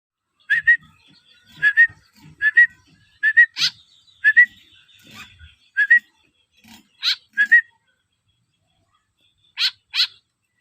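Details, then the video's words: White-breasted woodswallow (kekep) begging while being hand-fed: short, slightly rising calls given in quick pairs and triplets with brief pauses, mixed with sharp broadband clicks and bursts, in a quiet setting. "lolohan Kekep"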